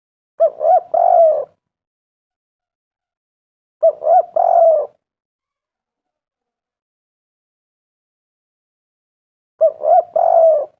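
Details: Spotted dove calling on a lure recording meant to prompt doves to call: three separate three-part coo phrases spaced widely, about three to five seconds apart, with silence between.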